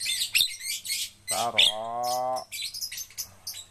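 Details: Javan myna, locally called jalak kebo, being trained so it will sing readily; loud mixed chirps and harsh notes with a drawn-out nasal harmonic-rich whine, amid voices repeating a word.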